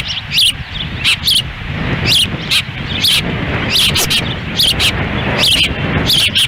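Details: Ospreys at their Lolo, Montana nest on June 10, 2017, the female feeding chicks as wind blows and the male stands by; thin whistled chirps come roughly once a second against heavy buffeting wind.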